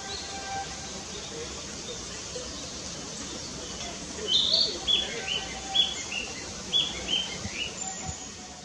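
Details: Singing Narcissus flycatcher in Fuchu, Tokyo, Japan, on 4 May 2017, recorded by camera: after four quiet seconds, a series of short, high, downslurred whistled notes repeated roughly every half second, over a constant hiss of background noise.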